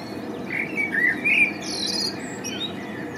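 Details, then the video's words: Male common blackbird singing in spring: low, mellow fluted warbles rising and falling, followed by a brief high, squeaky twitter, with a steady hum of background noise throughout. "Samiec kosa i śpiew (Turdus merula) blackbird sings"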